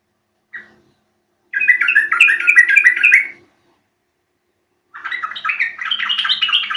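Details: Yellow-vented bulbul call meant to make birds reply in song: a single short note, a burst of fast chattering, silence, then another lively bubbling run of notes.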